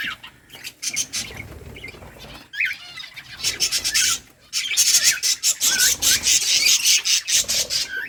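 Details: Captive budgerigar colony at play in a breeding setup, giving dense, fast, buzzy chattering chirps and squawks high in pitch, with brief gaps of near silence and some wing flutters.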